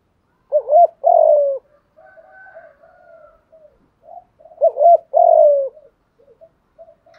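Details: Spotted dove call used to spur decoy birds into cooing: two matching phrases about four seconds apart, each a short doubled coo then a long falling note, with faint softer coos between.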